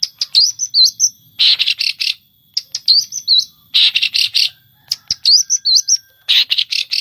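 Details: Long-tailed shrike (cendet) mimicry from 2020 contest recordings gathered from songbird hobbyists, who cite sparrow, canary, lovebird and kingfisher imitations. Wavy, slurred high whistles alternate regularly with clusters of three or four harsh buzzy notes.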